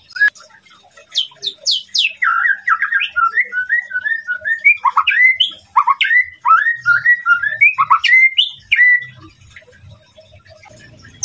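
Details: Provocative song of a white-rumped shama: sharp falling high notes opening into a long run of quick, bouncy slurred whistles, pausing and resuming, ending with softer scattered notes and faint background rumble.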